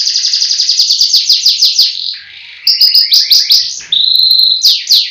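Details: Kept canary from Pecangakan, Comal, Pemalang, Central Java, Indonesia, singing loudly: quick runs of high falling chips, a brief fading pause, then renewed rapid trills and a sustained, steady whistled tone before more descending notes.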